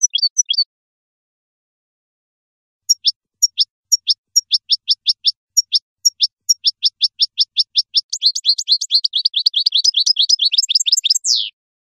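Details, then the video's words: Algerian European goldfinch (meknin) singing in the khelwi style, recorded 2018: a short opening burst, a pause, then a steady series of sharp, high, downward-slurred notes that speed into a dense twittering trill and end in a falling slur. "chant khelwi meknin algérien 2018 تغريد حسون جزائري"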